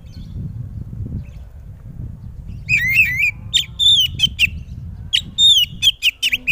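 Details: Oriental magpie-robin, kept for song contests, delivering loud song that makes other magpie-robins respond: a warbled phrase and a series of sharp whistled notes over steady low background rumble.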